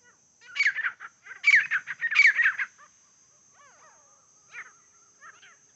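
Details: Wild grey francolin calling during a fight, recorded while the birds were being hunted: three loud, harsh, chattering bursts in quick succession, then fainter scattered calls, over a steady high hum.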